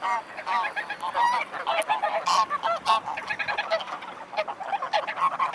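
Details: Mute swans at Dresden-Blasewitz, Germany, on 5 December 2018 at 16:32. Many birds call together in a dense chorus of nasal, honking notes that overlap continuously, with some louder bursts standing out.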